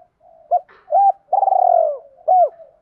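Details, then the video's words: A spotted dove of the 'đồng pha' voice type gives one lure phrase in 'hai hậu' style: a brief coo, an arched coo, a long vibrating purr sliding down, then a final hooked coo. "chim cu gáy giọng đồng pha gáy gọi bổi nhanh về và tập bổi hai hậu"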